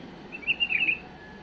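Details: Pet bulbul's mistake-free song, used to teach chicks: one quick, liquid warbled phrase of several linked notes, bubbling up and down over a faint steady hum.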